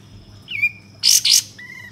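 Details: Bulbul lure to prompt singing and tail-fanning: a rising whistled note, then two loud, harsh buzzy bursts, followed by a short level whistle, against a faint background hum.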